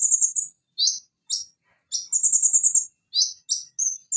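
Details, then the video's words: Konin, Leptocoma sperata, sung as tutor song to get a silent konin singing again: level high trills broken by sharp descending chips in pairs and threes, with brief gaps between phrases. "Masteran Konin Macet agar Cepat bunyi Kembali"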